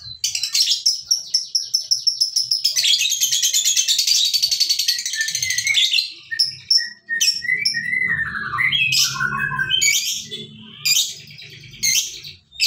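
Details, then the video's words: Lovebird giving a long 'ngekek' chattering trill: a run of rapid, evenly repeated sharp notes builds into a dense, sustained high rattle lasting several seconds, followed by scattered squeaky chirps and sliding whistles, with faint low rumbling in the background. "Suara lovebird ngekek panjang"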